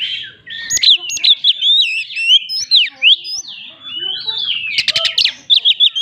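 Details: Loud challenging 'tembakan' song of an Oriental magpie-robin, aimed at rival birds: rapid jerky whistles jumping up and down, buzzy rattles near the end and a quick string of short sharp notes.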